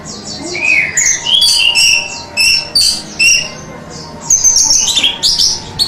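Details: Orange-headed thrush singing, from a masteran training recording: sweet whistled slurs, some rising and some falling, delivered as separate phrases with short gaps, followed by a louder stretch of high twittering.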